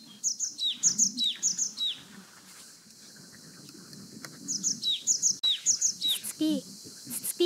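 A Japanese tit sings bright, high 'tsu-pi' phrases of paired notes, repeated in quick bursts, over a low murmur of background voices.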